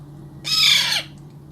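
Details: Hand-fed baby Alexandrine parakeet gives a single loud, grating squawk of about half a second, bright and noisy, against a faint constant hum.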